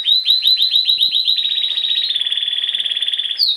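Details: Pet canary sings a high trill that starts as separate chirps about five a second, then speeds into a fast continuous rolling buzz held for over a second, ending with a brief high note.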